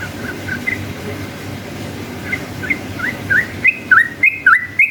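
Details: Yellow-vented bulbul in ropel-style song meant to lure other bulbuls into replying: soft scattered whistles at first, then a fast run of loud dipping-and-rising whistled notes at the end, over a low background hum.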